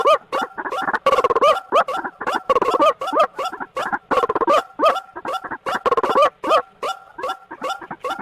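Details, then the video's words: White-breasted waterhen, ruak-ruak, in a lure recording used for trapping: a long run of rhythmic, nasal croaks, many with a rising twist, repeated steadily with pulsing emphasis. "PIKAT RUAK RUAK paling LENGKET | Suara Pikat Burung"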